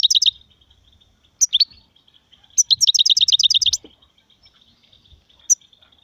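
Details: European goldfinch song in the styles called sarfati, gzrati and tsersir: a bright twittering burst, a short pause, then a long run of about a dozen rapid, evenly repeated high chirps, with a faint steady high tone in the background.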